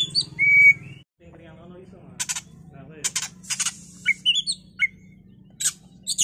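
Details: Oriental magpie-robin in a bait recording played to make a bird agitated and singing. A long flat whistle opens, then a brief low murmur. Harsh scratchy bursts follow, mixed with quick upward-flicked whistles.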